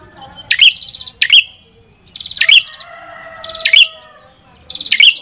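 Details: Red-headed prinia song: five buzzy, stuttering phrases each finishing in a high sharp note, irregularly spaced, with a soft lower tone in the background.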